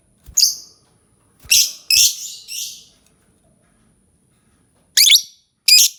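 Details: Lovebird giving irregular shrill, grating chirps, a cluster of three then two more after a pause, with faint tapping sounds.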